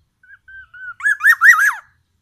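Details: Black-naped oriole, Sumatra, delivering oriental magpie-robin mimicry: a soft opening note and three clear flat whistles, then loud rough rolling notes rising and falling in quick succession.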